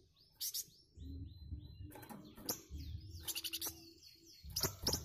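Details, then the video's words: Flamboyan bird answering other birds with its characteristic dense, harsh chatter: quick descending whistled notes, then rapid scratchy bursts and sharp chips, mixed with other birds calling and low background rumble. "BURUNG FLAMBOYAN RESPON SUARA BURUNG LAIN.LANGSUNG NYAUT DENGAN KICAUAN KHASNYA.."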